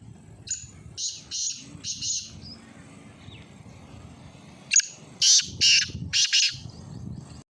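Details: Two rounds of black francolin calling: a softer run of four rasping bursts, a few quiet seconds, then a loud phrase of a sharp click followed by two paired harsh, grating bursts.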